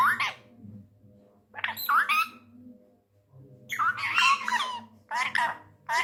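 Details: Angry tame male Indian ringneck parrot indoors, a talker in Urdu/Hindi: clusters of loud, grating squawks and chattering syllables in four bursts, mixed with low human voices.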